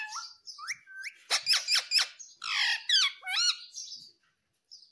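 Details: Talking green Indian ringneck parakeet: short rising whistled syllables open, then a rapid string of harsh pulses. Looping word-like notes and a brief squawk follow.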